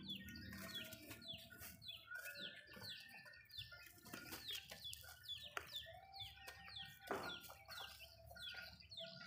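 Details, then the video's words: In a home backyard, Malay chickens busy eating food make dense, rapid downward-sweeping peeps and sharp pecking clicks, with a low clucking buzz at the start. "Backyard Chicken home Chicken malayo asmr nice but nonuse sound eating food"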